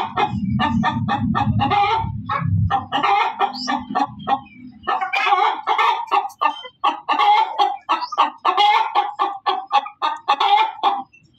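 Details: Hen cackling loudly: rapid, repeated harsh clucks in quick bursts, with a low rumbling sound underneath during the first few seconds.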